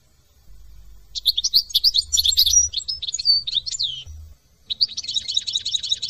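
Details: European goldfinch from France singing a fast, varied twittering song of high liquid notes and trills, a brief pause near four seconds, then a rapid repeated chattering phrase resumes.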